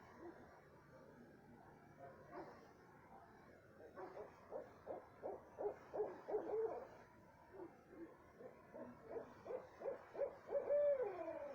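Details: Owl calling at 2:30 am in south central Texas, with two accelerating runs of rapid hoots, each finishing in a longer falling note, separated by a brief pause, over low background hiss.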